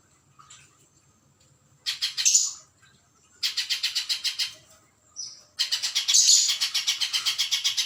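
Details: Spiderhunter song for bird training: three separate bursts of rapid, shrill repeated notes about four per second, separated by short pauses, the last burst longest; a thin whistle sounds between bursts.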